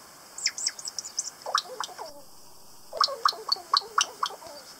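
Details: Kakas, native New Zealand parrots, on Stewart Island south of the South Island, give harsh grating notes with bright upper overtones in two rapid bursts of about six calls each, roughly two per second, separated by a short gap.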